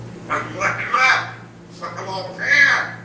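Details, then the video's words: Talking African grey parrot from Riyadh reciting Quranic verses: two breathy, speech-like phrases with rising and falling tone, a constant low hum beneath. "ببغاء كاسكو يقراء القران ويذكر الله كثيرا"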